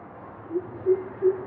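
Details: Southern coucal (Centropus parroti), recorded from a terrace, gives three deep, hollow hoots, evenly spaced about a third of a second apart and rising slightly in strength, over a soft background hiss.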